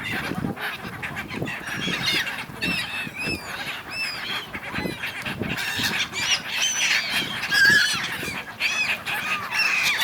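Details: Many gulls quarrelling on the River Dnipro, Kyiv, Ukraine, winter: overlapping squawks and arched mewing cries, with repeated low thuds and a louder burst of calling around the middle.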